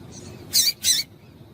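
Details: Female double-collared seedeater call to stimulate a male to sing: a rapid pair of loud, rasping chips in quick succession.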